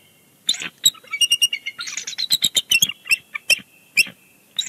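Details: A nesting bald eagle pair at Big Bear Lake, 30 January 2020, calling busily before leaving the nest; a continuous run of sharp, high, piping kik notes, about four per second, rising and falling in intensity.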